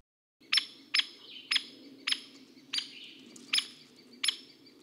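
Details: A Hairy Woodpecker gives its most common call, a short, sharp 'peek': seven very short, high notes spaced about half a second to a second apart, over a faint low background hum.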